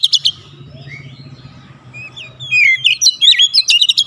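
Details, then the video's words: Oriental magpie-robin song played to provoke a silent bird into singing: brief chirps, a quiet stretch with low hum, then a rich run of sweeping, warbled whistles and sharp clicks. "PANCINGAN HEBAT DALAM HITUNGAN DETIK KACER MACET BUNYI LANGSUNG GACOR"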